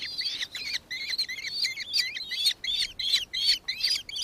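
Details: Nankeen kestrel, Aboriginal names martiet and minmin, recorded in Victoria, Australia, December 2024: rapid strings of piercing, twisted notes broken by a couple of brief silences.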